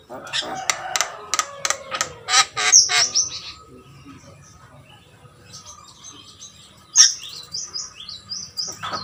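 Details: A jalak kebo (Javan myna) gives a quick run of harsh clicking, chattering notes, then after a lull switches to a series of thin, high whistled chirps.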